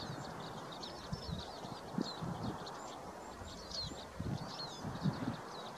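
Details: Crossbills in the Forest of Dean, November 2017, on a dull day, feeding on larch seeds with flight contact calls: faint, sharp, high chipping notes in quick scattered bursts, several birds overlapping, over a steady low rumble and soft rustling knocks.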